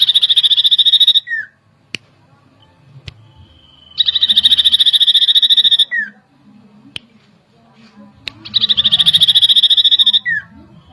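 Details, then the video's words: Common iora song, used as a lure that rouses agitation at once: three bursts of fast, high, buzzy trill pulses, each ending in a short down-slurred note, with quiet gaps, a faint level whistle and occasional clicks. "PANCINGAN CIPOH LANGSUNG EMOSI"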